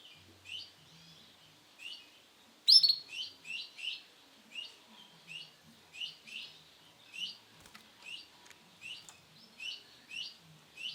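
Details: Steady series of short, high, downslurred chirps from a male Sunkist-variety canary, given about twice a second after one loud sharp opening note.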